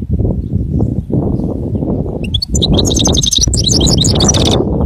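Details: Goldfinch singing: after a stretch of loud low rumbling, a bright, rapid run of high tinkling twitters and trills breaks in for the last two and a half seconds, still over the steady low background noise.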